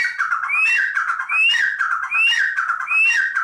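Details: Captive partridge in a breeder's collection: loud repeated phrases of rising whistled notes over a harsh lower chatter, about one phrase per 0.8 seconds, indoors.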